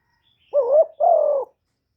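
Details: Decoy spotted dove kept to lure wild doves: one clean two-part coo, a short hollow note followed at once by a longer, steady, slightly falling coo, with no background sound.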